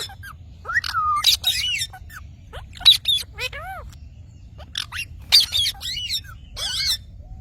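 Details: Green parrot giving scattered harsh squawks and a few whistled notes, including a falling slur and arched rising-falling whistles, spaced irregularly with quiet gaps.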